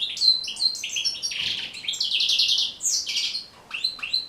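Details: European goldfinch singing a continuous string of liquid twitters, a buzzy rattling trill and high tinkling notes, used for teaching captive goldfinches to sing.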